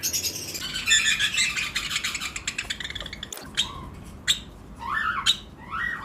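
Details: Breeding-season lovebirds in a flight colony with other birds; rapid high chirping chorus at first, then isolated sharp clicks and several harsh, downward-sliding squawks.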